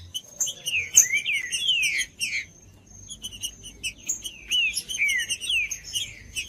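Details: A green-winged saltator, sung to stimulate a cold bird, gives two bursts of rich whistled notes sweeping down and up, separated by a short pause filled with dry clicks and a faint steady high whine.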